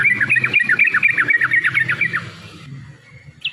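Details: Yellow-vented bulbul (trucukan) in provoking, fighting mode: a fast tumbling series of warbled notes for about two seconds, with steady low background rumble, then a short high note.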